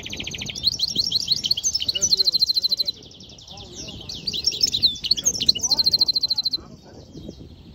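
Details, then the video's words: A goldfinch-canary mule sings two bright bursts of tinkling, twittering song, each ending in a fast run of repeated high trilled notes, with a brief pause between. "European Goldfinch mule singing"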